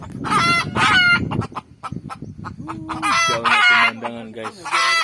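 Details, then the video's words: Red junglefowl heard beside a garden during outdoor cooking, giving harsh, rasping harmonic calls in two early bursts, then lower drawn-out notes and more squawks, over a background of rumbling low noise. "suara ayam hutan"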